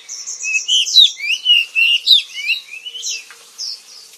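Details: Kacer, the oriental magpie-robin of Indonesia, pouring out a quick run of high, bright whistles and rolling warbles, loudest in the middle, fading to thin chirps at the end.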